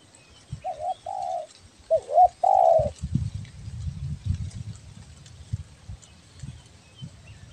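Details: Spotted dove of the Riau Islands type, singing a lively 'belah dada' style call used as a lure. Four hollow cooing notes come within about two seconds, the last longest and wavering. Low rumbling background noise follows.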